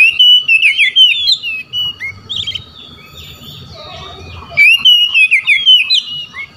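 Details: Oriental magpie-robin singing to provoke rival magpie-robins into answering: rapid bursts of varied whistled and chattering notes, a quieter answering phrase in the middle, then another loud run, over low background noise.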